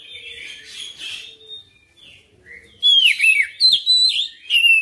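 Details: Oriental magpie-robin singing persistently through its full repertoire. Soft, hissy warbling opens the song, then a sudden loud run of bright, quickly modulated whistles with repeated dipping notes.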